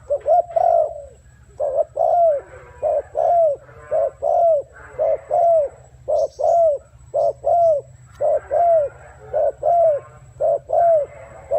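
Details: Long, even run of arched spotted dove coos in 'gù' style, roughly one per second, with a steady low hum and a faint high whine behind.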